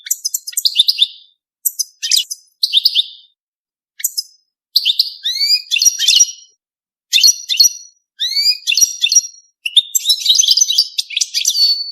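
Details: European goldfinch singing during mating. High, liquid twittering comes in short bursts with brief silent gaps, mixing tinkling notes, buzzy trills and rising slurred whistles. The background is quiet.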